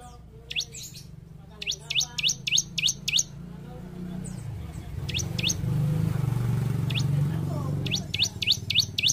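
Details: Bar-winged prinia (ciblek), gacor, played to train caged birds: runs of quick, high, upward-swept chirps over a low engine-like rumble with voices in the middle.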